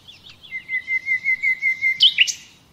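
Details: A common nightingale (Luscinia megarhynchos) in an uninterrupted song recording used as a training lesson sings about eight rapid, even, piping notes at a steady mid-high pitch, ending in a sharp, rich flourish of higher notes.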